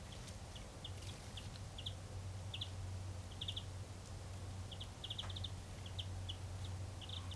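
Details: Common chaffinch in Parco della Piana, Sesto Fiorentino, Italy, on 17 January 2012, giving short, bright, high call notes, often in quick pairs, repeated irregularly, over a steady low traffic rumble.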